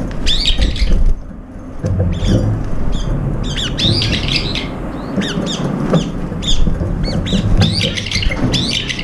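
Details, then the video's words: Brown-eared bulbuls crowding to feed and competing for food; nearly continuous overlapping shrill, wavering squeals from several birds, with heavy low rumbling and bumps beneath. "직박구리 왼발장애 불구하고 먹이경쟁 동참"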